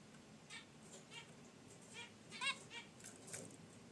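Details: Caged zebra finches resting by a wicker basket nest make brief nasal honks at uneven intervals, with a louder chirp near the middle, over a quiet room background.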